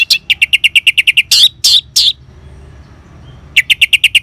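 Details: Orange-headed thrush, ngeban style sound used as a lure to stimulate caged birds to sing: a rapid run of about ten sharp, evenly spaced notes, three harsh rasping bursts, a short pause, then another quick run of notes.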